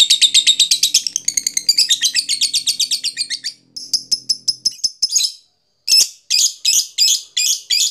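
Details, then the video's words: Lovebird giving ngekek, a long chatter played to stimulate other lovebirds: rapid shrill buzzy chirping for about four seconds, then a pause and spaced harsh squeaky notes repeated several times before a brief silence and more chirps. "suara lovebird ngekek panjang"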